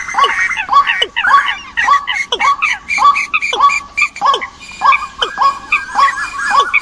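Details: Migration-season bird decoy calls from a 2021 compilation: overlapping, harmonic calls that swoop down and rise again, in a busy chorus repeating almost twice a second, with faint high clicks above.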